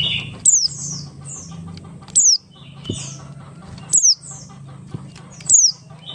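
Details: Buxtoni-type Oriental white-eye in ngalas song, played as a lure to spur other white-eyes to sing: loud, piercing downslurred whistles repeated about every one and a half seconds, with softer high twitters between them over a low background hum.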